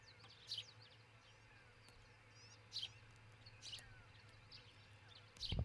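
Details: Nesting osprey couple near Charlo, Montana, captured by a nest cam before dawn on 22 June 2018; bright, high, falling chirps come in small bursts at irregular gaps, other birds twitter softly, a low hum runs throughout and a thump closes.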